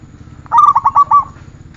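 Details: Zebra dove (perkutut) song from a training recording: a quick run of about six rounded, purring coo notes, slightly rising then steady, delivered in under a second over a low background hum.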